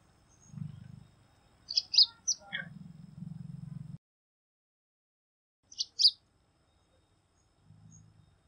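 Bengal bush lark giving two bursts of high, sharp chirping notes about four seconds apart, over a low droning rumble in the background.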